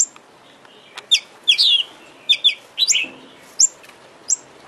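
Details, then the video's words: Oriental magpie-robin (kacer) lure recording meant to stir a kept bird into singing and opening its tail: sparse, sharp high chirps and short downward-sliding whistles, spaced about half a second to a second apart over a quiet background. "Pancingan KACER agar GACOR dan EMOSI BUKA EKOR"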